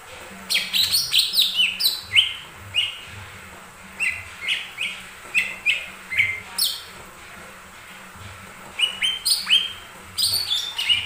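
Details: Lesser green leafbird song meant to prompt other birds to sing, a long varied stream of sharp chirps, slurred whistles and clicking notes in bursts separated by brief pauses.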